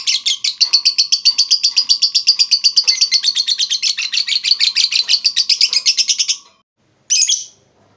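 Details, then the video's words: Rapid lovebird ngekek chatter meant to lure and school other lovebirds: about six seconds of fast buzzy repeated notes, then a pause and one short sharp chirp. "suara burung Lovebird terbaik buat memancing burung Lovebird dan masteran"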